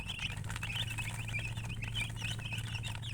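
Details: Chicken chirping: high, short, bent peeps spaced irregularly a few times per second over a strong low hum and light pattering.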